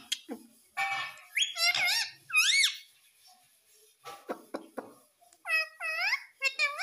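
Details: Baby rose-ringed parakeet kept at home, its shrill rising-and-falling squeaks repeated in two bursts, mixed with clicks and voice-like chatter in between.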